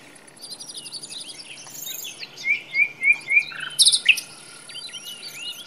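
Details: Common nightingale (Luscinia megarhynchos) singing in a forest, varied high phrases including four quick rising whistles in a row and then loud sharp notes, over faint chirps and a steady insect-like hum.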